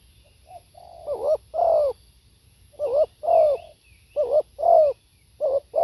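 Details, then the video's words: Deep mellow coos of a spotted dove. Phrases of a brief wavering note and a louder drawn-out falling note repeat about every 1.5 seconds, with faint higher chirps from another bird. "เสียงนกเขาใหญ่ สด | suara tekukur"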